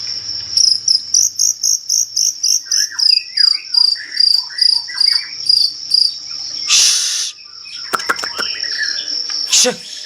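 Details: Medan-type white-rumped shama singing vigorously: a long series of rapid, evenly repeated notes, then short slurred whistles, a harsh burst and sharp clicks, over a constant high insect-like drone.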